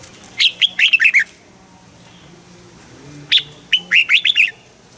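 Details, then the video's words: Caged red-whiskered bulbul singing a southern master-style song used to excite other caged birds: two bright whistled phrases of rapid notes, each starting with a high sharp note and ending in falling slurs, separated by a pause. "เสียงนกกรงหัวจุก สำหรับต่อ หรือ เปิดให้นกคึก"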